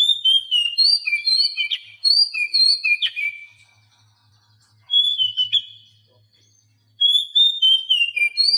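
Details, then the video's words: Tutor song of the Oriental magpie-robin for silent caged birds; pure whistled phrases stepping down in pitch, repeated in three bursts separated by quiet gaps of a second or two, with a soft low hum. "Masteran Kacer Bisu"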